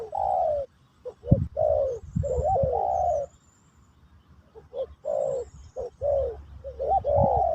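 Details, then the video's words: Spotted dove, called Terkukur Pesom or Kacuk, cooing in a session to teach a new bird; quick short coos and long falling coos in two phrases split by a silent gap, with low thuds. "Burung Terkukur Pesom/Kacuk...Sesi Mengajar Burung Baru"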